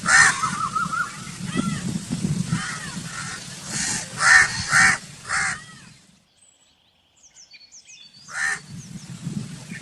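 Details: Crow giving harsh, raspy caws in quick bursts, roughly two per second for six seconds, then a near-silent pause and one more caw near the end, over a steady low rumble.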